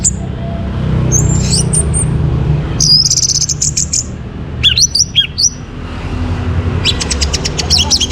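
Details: Morning Orange-headed thrush song from Singaraja, Bali, played to bring birds into breeding condition: high thin slurs, a rapid stuttering burst, then sharp sweeping whistles and a final fast run of clipped notes, over low background noise.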